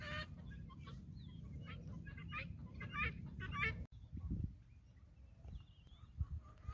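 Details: Guineafowl flock on a farm trailing a hen: a run of rough, scratchy calls, loosely spaced over several seconds, then a cut to quieter background with low rumbling noise and a few faint distant calls.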